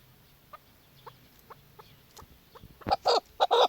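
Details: Soft, evenly spaced single notes from a female chukar partridge, then a sudden burst of loud, harsh clucking at the end.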